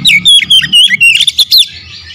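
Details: An oriental magpie-robin, lazy to sing until lured once, then singing energetically: a rapid string of loud, clear whistled notes with sharp upward and downward slurs, about eight pulses in under two seconds, then quiet.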